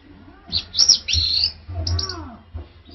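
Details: Male orange-headed thrush singing: a short phrase of high, sweet, warbled whistles and slurred notes, then a second brief burst, over a low steady hum.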